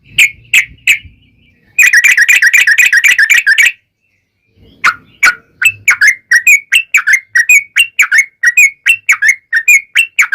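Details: Yellow-vented bulbul singing a long ropel song used as a lure for answering bulbuls: a few whistled notes, a loud dense two-second rattle of rapid notes, silence, then a fast run of bubbly chirps.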